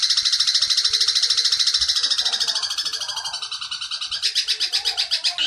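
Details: Long-tailed shrike singing in the 'petir' style, recorded for tutoring caged birds: a dense, grating trill of fast repeated notes that softens midway, then grows louder and coarser toward the end.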